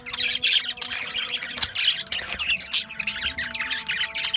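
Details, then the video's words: Budgerigars, Australian budgies, chirping: a steady stream of overlapping warbled twitters and squeaks, with a faint low background hum. "Budgies Chirping Sounds"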